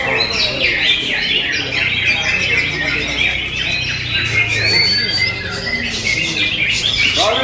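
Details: Greater green leafbird singing a hurried medley of sharp chirps, rising whistles and harsh squawky notes, with low human chatter beneath throughout.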